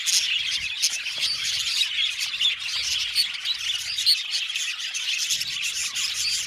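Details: Budgerigars in an aviary colony chirping together, rapid squeaky twitters and chatter overlapping, rising and dipping in loudness throughout.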